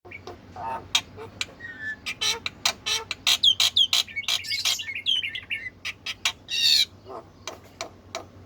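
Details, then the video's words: Black-winged myna in lively full song: rapid, harsh, clicking and rasping notes repeated several times a second, broken by bursts of bright whistled phrases and squeaky upward slurs. A low steady hum runs underneath. "Burung Jalak Putih GACORRR!!!"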